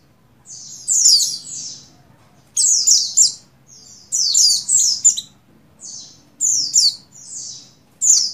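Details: Female in breeding condition, an Oriental white-eye of the buxtoni form, calls for the male in clustered bursts of high sweet chirps and twitters, each group lasting under a second, faint hum below.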